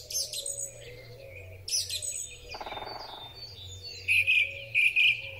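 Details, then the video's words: Song thrush in spring, recorded with a Huawei P30 Pro phone: varied high phrases among other birds' chirps, ending with a loud two-part phrase given twice. "Drozd Śpiewak. Wiosenny koncert ptaków."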